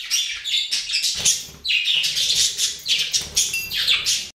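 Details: Rapid budgerigar warble of chirps and rasping notes in dense bursts, with one short break, then the sound cuts off abruptly.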